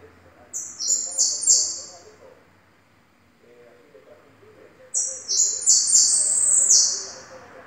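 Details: Yellow goldfinch singing: two bursts of rapid, buzzy, high twittering notes that tumble and overlap for a second or two each, separated by a pause with faint low background murmur.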